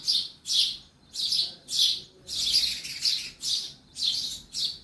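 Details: House-dwelling sparrow giving a steady series of short, high chirps, roughly two per second with brief gaps, loud and close in an indoor room.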